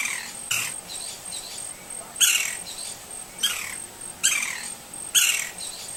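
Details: Green-barred woodpecker, a wild bird in natural habitat in Brazil: loud, sharp downslurred calls given singly at uneven intervals of one to two seconds, over a steady high insect-like whine and low background hum.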